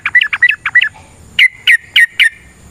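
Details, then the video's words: Yellow-vented bulbul fighting song for provoking other birds to sing: a quick burst of five warbled notes, a short gap, then four sharp downslurred chirps about three per second. "TRUCUKAN GACOR TARUNG ROPEL PANJANG Pancingan trucukan Agar Bunyi Jadikan Burung Trucuk Gacor Nyaut"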